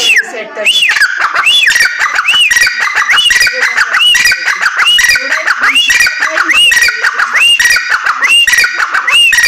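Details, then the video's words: Female grey francolin giving loud repeated arched notes, each rising then falling, about once a second in a harsh ringing series, with other overlapping harsh voices. "female teetar awaz"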